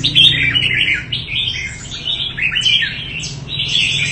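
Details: Red-whiskered bulbul of promising quality from Đại Quang, Quảng Nam, Vietnam, kept by an artisan keeper: lively, nearly continuous song of jumbled whistled and chirped notes sliding up and down, with a faint low hum behind.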